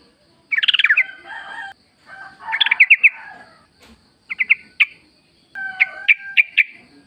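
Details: Sooty-headed bulbul singing in wild natural style as a lure for caged birds: a rich jumbled burst, a second bubbly phrase ending in quick chirps, then short spaced notes over a faint background hum.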